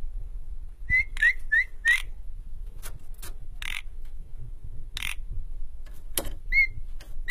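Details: Asian pied starling, known locally as jalak suren, being tamed so it sings freely and fights: short upslurred whistled notes in quick bursts, scattered clicks and harsh noisy bursts, over a low rumbling background.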